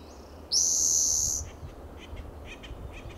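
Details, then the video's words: On a June morning in California's coastal Del Monte Forest, a Spotted Towhee perched in a shaded coast live oak delivers one bright, high buzzy trill lasting about a second, followed by faint soft chips against a low steady rumble. "Spotted Towhee sings in Del Monte Forest"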